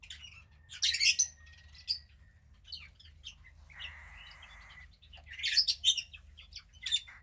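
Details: Female cockatiel chick, about 15 days old and the second of a pied pair's hatch, gives bursts of sharp high chirps, a raspy hissing rush in the middle, then more clustered chirps.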